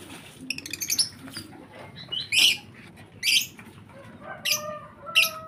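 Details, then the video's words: Rasping, hissy squawks from lovebird chicks at a breeder, a stuttered opening run followed by four louder harsh bursts spaced about a second apart, with faint thin whistled notes between them. "Anakan Burung Lovebird"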